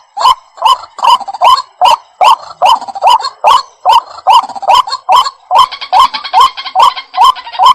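White-breasted waterhen giving harsh, croaking, nasal notes, repeated steadily about twice a second without pause; no other clear sounds.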